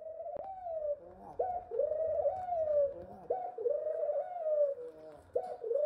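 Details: A young male ringneck (Barbary) dove reaching puberty gives soft, drawn-out coos, each opening with a quick upward lift and then holding steady, repeated about every two seconds indoors.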